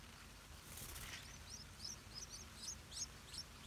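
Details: Stripe-throated bulbul at a nest with hungry hatchlings, parents defending it in Southeast Asia: short, thin, high chirps repeated about three times a second. They start faint and become clearer, over low rural background noise.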